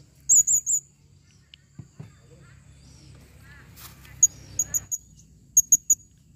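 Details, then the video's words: Calling female blue-crowned hanging parrot: a trio of piercing high squeaks, a quiet gap with faint soft chatter, then sharp single and triple chips near the end. "serindit betina memanggil"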